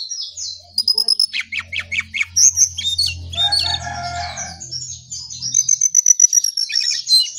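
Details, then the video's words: A brown songlark sings actively in the early morning, a fast, varied run of high chirps, squeaky whistles and buzzy rattling notes, packed several to the second, over a faint low hum. "Jongkangan/cingcoang coklat Gacor Pagi Sekali"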